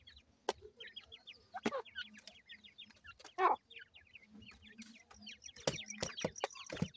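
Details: A brood of newly hatched francolin chicks kept for raising, peeping in quick high falling notes while being fed, interrupted by sharp clicks and one louder short lower squawk.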